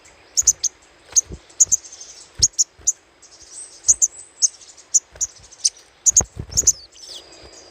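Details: Little spiderhunter chattering, played as a lure: sharp, very high chips given singly, in pairs and in short clusters, roughly every half second, with soft low thumps underneath.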